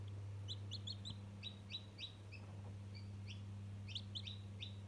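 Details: One-day-old domestic chicken chick chattering while interacting with a toy: rapid bursts of high, short peeps, often doubled or tripled, in quick irregular runs over a steady low electrical hum.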